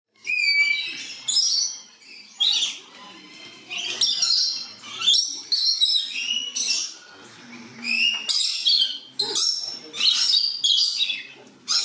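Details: Captive blue-eared lory, kept in a warm house with other lory species, gives about a dozen harsh, high screeching shrieks, roughly one each second, after a thin whistled opening note; volume turned well down.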